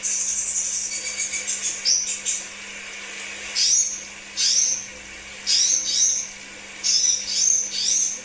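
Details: Crimson sunbird song used as a lure for kept birds: it opens with a fast, high, twittering trill, then gives spaced bursts of thin, sharp, slurred chips. A low background hum is also heard.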